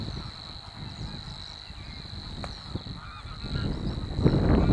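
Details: Two Savi's warblers at De Onlanden, Drenthe, the Netherlands, on 22 April 2018 around 11:06, reel a steady, fast, insect-like buzz on one high pitch without a break, over heavy low rumbling wind noise and faint other birds.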